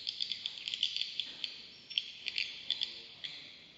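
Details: Swiftlets at a swiftlet bird house in Kota Klias, Beaufort, Sabah, give high, dry clicks and thin chirps several times a second over a steady high-pitched twittering hum.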